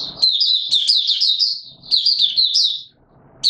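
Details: White-eye singing in warm humid weather, an opening song of rapid high warbled notes strung into two sustained twittering phrases, then a pause and a fresh start; faint low background noise.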